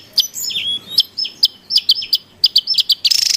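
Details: Javan tesia heard in the wild, lure and training sound: a rapid run of sharp, high, down-slurred whistled notes, about fifteen in three seconds, ending in a buzzy rattle.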